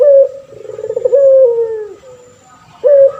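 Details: A deep coo from a male puter pelung turtle dove, kept as a model singer for training other birds. It opens with a short, clear note, moves into a warbling middle and ends on a long, slowly falling tone. A new phrase starts near the end.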